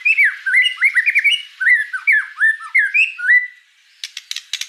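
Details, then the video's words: White-rumped shama singing energetically, a string of rich slurred whistles rising and dipping in quick succession, then a brief quiet before a few sharp, high clicking notes. "Suara kicau burung murai batu gacor"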